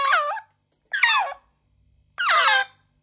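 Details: Young African grey parrot begging at breakfast indoors: three loud, rasping, wavering squeals, each under half a second, separated by short silences, with faint low hum in the background.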